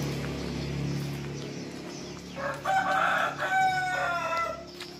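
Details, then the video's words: Serama jungle fowl rooster crowing in the morning, out of its cage and perched on a hand; one harmonic crow rises over steady low background hum and then holds level. "Koko Ayam Hutan Serama Rajin Berkokok Pada Pagi Hari"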